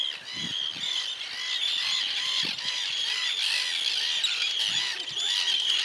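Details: Arctic terns defending their nesting area on the Farne Islands, North East England, diving at people's heads: a dense, continuous chorus of harsh, grating, overlapping cries from many birds, with faint low thuds underneath.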